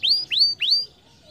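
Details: Canary, sung to stimulate lazy canaries: three clear rising whistles in quick succession, then silence.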